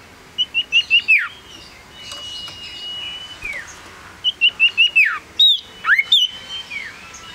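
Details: Male Common Iora, a small yellow bird kept tame and singing actively, repeats phrases of four or five short high whistles ending in a downward slur, with several sharper rising and falling notes between phrases.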